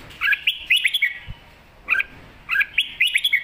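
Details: Red-whiskered bulbul singing mae bot sap krajai master-style song, crisp whistled note clusters in two bursts separated by a brief pause, with one faint low thump.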